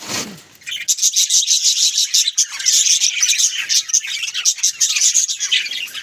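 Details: Pet budgerigars at home start after a short quiet moment into lively chatter, a fast pulsing run of scratchy chirps and warbles that stays dense to the end.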